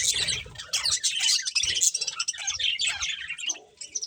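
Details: Pet budgerigars eating and chirping, a lively flow of squeaky, warbling twitters and sharp high chirps over scattered low rustling and thumps.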